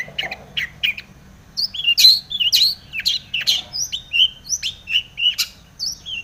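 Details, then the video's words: Long-tailed shrike song used as a lure to provoke other shrikes to sing: loud, varied chattering notes and harsh buzzy bursts mixed with sharp rising and falling whistles, delivered in quick irregular bouts. "SUARA cendet gacor full isian TOMICENG pancingan cendet agar bunyi JADI burung pentet gacor EMOSI"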